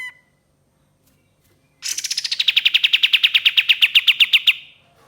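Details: Ashy tailorbird song used for luring, with one long burst. After a brief faint note and silence, a rapid run of sharp, repeated notes falls from a high start and holds steady for about three seconds.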